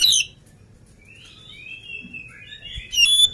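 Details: Oriental magpie-robin, lively and not yet fed. A loud chirp opens the clip, quiet gliding whistles follow, and a strong whistled phrase closes it.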